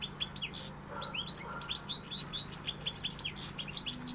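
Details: Loud, continuous pegada song from a European goldfinch, fast sparkling twitters mixed with buzzy rasping notes and rising whistles, hum faint below.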